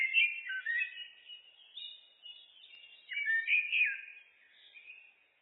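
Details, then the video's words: Common blackbird singing in a looped recording: low, mellow fluted phrases that slide and warble, followed by a higher twittering flourish, then a second rich whistled phrase, with a quiet clean background. "Blackbird, Turdus merula, birds (looped), SOUND EFFECT"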